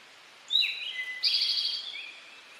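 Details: Male Eastern towhee singing its "drink your tea" song: two clear introductory notes, one high and one lower, then a bright buzzy trill held for nearly a second, over quiet background hiss.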